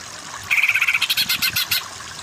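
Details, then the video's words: Training recording of a greater green leafbird for other birds: a fast run of roughly fifteen harsh, pulsed high notes, opening with a brief level buzz and slowing slightly toward the end. "Masteran Burung Cucak Ijo yang Kurang Power Jadi Kejer Kejer"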